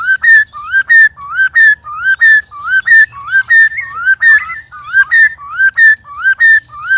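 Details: White-rumped shama in a three-bird sparring session, loud: a mid-pitched whistled phrase that rises then dips, repeated about twice a second steadily throughout, with a thin high ringing note above.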